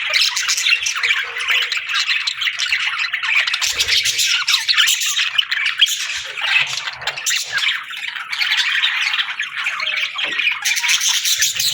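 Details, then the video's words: Afternoon budgie chorus: a dense, continuous babble of high squeaks, chirps and whistles from several birds, with occasional low knocks. "Budgie Afternoon Whistles"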